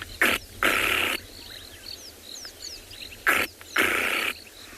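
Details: Flappet lark (Mirafra rufocinnamomea) at sunrise on 24 December in the Tswalu Kalahari Reserve, South Africa, claps its wings while flying high. Two pairs of rapid, dry, purring bursts, with thin chirps of other birds between, announce that the territory is occupied.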